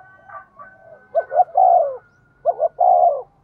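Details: Spotted dove decoy for luring wild birds, cooing fast: soft faint calls first, then two loud phrases of two quick rising notes and a long falling coo, under a faint steady high tone.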